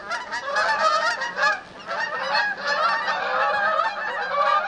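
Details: Canada geese, called outardes, visiting a cabin at Lac Goulet; a dense chorus of overlapping nasal honks from many birds, continuous and loud with brief dips in volume.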